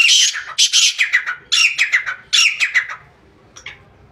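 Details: Black francolin, the kala teetar, recorded 2-1-2024: a rapid run of scratchy notes in clusters over three seconds, each cluster sliding slightly downward, then fading to a couple of softer notes.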